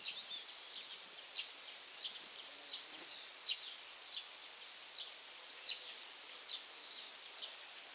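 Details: Eurasian wryneck (Jynx torquilla) recorded 25 June 2017 at 51.919831, 20.144368 gives a faint series of short, ringing, high notes, about twice a second, over a thin insect-like hiss.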